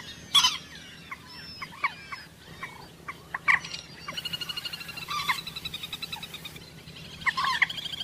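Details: Common moorhen call recording used for hunting: loud, harsh croaking bursts a few seconds apart between quick chattering runs of clipped notes, with faint high chirps in the background.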